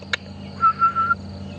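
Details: Grey-headed bushshrike, the "ghost bird", giving its alarm call, possibly at two nearby predators, on a morning drive at Djuma Game Reserve on 10 Feb 2015: one long, level, mournful half-second whistle over engine hum and a sharp click.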